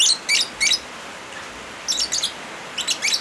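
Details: Lovebird sounds blended with rain for therapy of quiet birds: three strong, scratchy high chirps at the start, a lull of rain hiss, then two further clusters of shrill squeaks.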